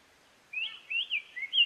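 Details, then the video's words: Black-faced tanager, known as sanhaço-de-coleira or tiê-cinza in Brazil, singing a short phrase of slurred whistled notes that rise and fall. The notes come in three quick bursts over about a second, with a quiet background. "CANTO DO SANHAÇO-DE-COLEIRA"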